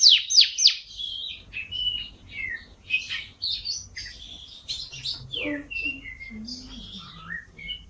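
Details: Canary, gacor isian style, giving a rambling series of varied whistled notes, slurs and short chirps, with a few lower fluting tones, moderately loud, over faint background noise.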